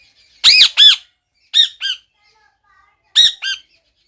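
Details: Parrot, said to be talking, utters three pairs of loud, high, arching squawk-like syllables separated by short silences, each pair quick and sharply bounded.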